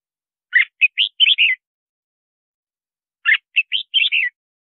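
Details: Red-whiskered bulbul singing, a sound used to call in wild birds and coach singing: two matching phrases of five or six bright, chirpy warbled notes, about three seconds apart, against silence.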